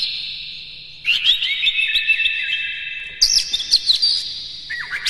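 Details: Energetic Oriental magpie-robin song filled with imitations, a lure to excite other magpie-robins: bright twittering phrases rising in pitch after a pause, then a sharp downslurred whistle at the close.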